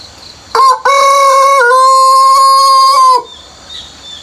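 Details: Early morning before sunrise on a countryside farm, a rooster gives a single close, loud crow. A clipped first syllable and a short gap lead into a long, even, held call that ends abruptly. Faint insects hum beneath, and a softer sound follows.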